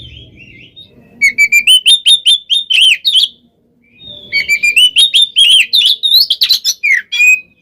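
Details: Oriental magpie-robin singing in the continuous 'konslet' style said to rile rival birds: quick bursts of repeated clear whistled notes, about three per second, a short break, then another fast whistled series with rising slurs.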